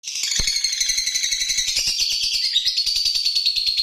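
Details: Caged lovebird in a bird-contest setting singing a fast, dense run of high chattering chirps and trills, continuous for about four seconds, with rhythmic clicking ticks underneath.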